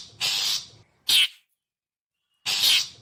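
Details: Long-tailed shrike lure call: a long rasping churr followed by a short harsh chack, then a pause of over a second before another drawn-out grating note.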